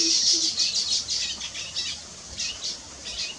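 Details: Weaver bird building a nest: a busy run of high, scratchy chattering notes, fast and uneven, with a denser burst in the first second and quieter stretches after.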